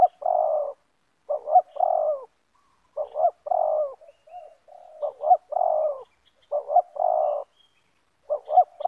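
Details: Spotted dove of the banggo type, locally terkukur, in a yard, a wild bird facing a caged decoy of the same type. Loud, clear, rolling coos come in repeated phrases of two to three notes.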